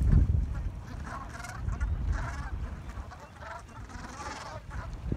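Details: Gulls chattering together at dawn in New England, giving short nasal, slightly quavering calls in a quick irregular series, with a soft low rumble of wind or surf beneath.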